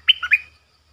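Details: Streak-eared bulbul acting as a lure for wild birds, 'sap dok' and 'rik' calls: one brief three-part chirp, bright and slightly descending, then a warbled upturn, with a faint low hum behind.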